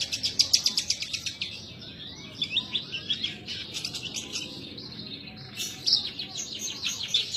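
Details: Caged branjangan (Horsfield's bush lark) in gacor form, opening with a fast run of evenly spaced high ticking notes, then shrill twittering and sliding whistles, and ending in another chirpy burst.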